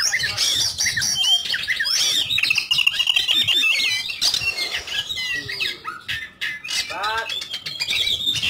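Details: Kacer, the oriental magpie-robin, in continuous 'ngobra' calm-type song meant as a lure to start other birds singing: dense chattering run of high whistles, trills and rapid downslurred sweeps, with a few harsher rasping notes near the end.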